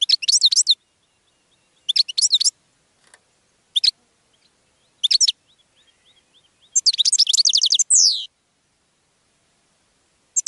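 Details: Goldfinch song meant to draw in other birds. Short bursts of bright, liquid twittering come every second or two, with soft faint calls between, building to a long rapid phrase that closes on a falling nasal slide.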